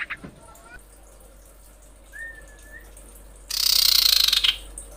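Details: Female common iora calling males: a soft, level whistled note, then a loud, harsh rattling buzz of fast pulses lasting about a second. Faint noises come before it.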